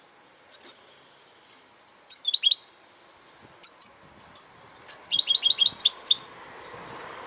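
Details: European goldfinch singing: short, high, tinkling twitters in separate bursts, then a fast, liquid run of chirps near the end, with soft background hiss.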